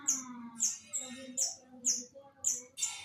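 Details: East Javan Long-tailed shrike giving about seven piercing, very high, sharp notes spaced roughly every half second, each a quick clipped squeak. A soft low hum and faint lower tones lie beneath.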